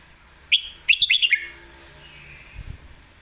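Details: Red-whiskered bulbul singing in the 'lak wai' or 'mae bot' style, a sharp note and then four quick clear whistled notes falling in pitch, followed by a soft fading warble and a low thump.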